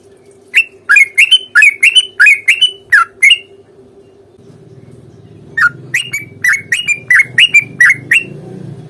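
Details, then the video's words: Sooty-headed bulbul fighting song in a long rapid roll, used to provoke a reply: a burst of loud, bubbly whistled notes, a pause of about two seconds, then a second run of similar chirpy notes over a low steady hum. "trucukan gacor tarung ROPEL PANJANG pancingan trucukan agar bunyi"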